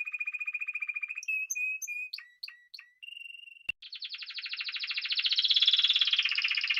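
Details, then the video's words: A Spanish timbrado canary sings a steady low roll, several clipped notes with pauses, a short trill, a sharp click, then a long swelling rich trill growing louder toward the end. "Timbrado تغريد جميل الكناري تيمرادو الإسباني"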